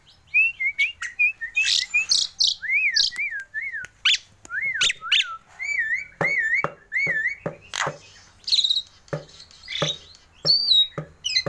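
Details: A hand-tame, very vocal Javan myna that mimics its owner's human voice sings a busy run of looping, slurred whistles mixed with sharp clicks and harsh notes, phrases tumbling out almost without pause.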